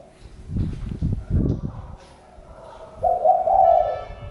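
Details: Several dull thumping knocks come first, then a spotted dove breaks in with one mellow, hollow coo phrase near the end.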